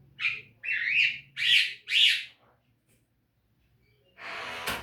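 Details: Javan myna song used as a training recording for caged birds: four loud, harsh, squeaky whistled notes, rising and falling, about half a second apart, then a burst of broadband noise.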